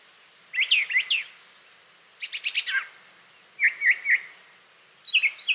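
Brown Thrasher song in quick, varied phrases of rich chirps and slurred notes, each phrase different, with a faint steady high hiss behind.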